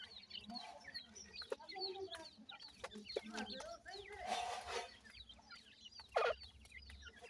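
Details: Grey francolin chicks, white in colour, at feeding time, keeping up a constant chatter of high, sharp peeps and short trills, with a brief hiss of noise and a loud clunk near the end.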